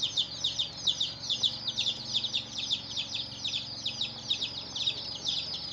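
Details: Chicken chicks chirping in a crowd: bright, high peeps crowd over one another in rhythmic waves that swell and fade every second or so.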